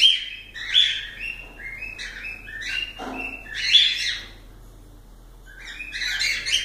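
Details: Cockatiels whistling varied short notes, some rising and some falling, mixed with sharp chirps and a brief lower rasp.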